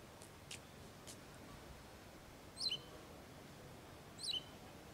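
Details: Wagtail calling while gathering food for its young, male and female communicating: two clear, high, downward-sliding chirps near the end, after some faint scratchy ticks at the start.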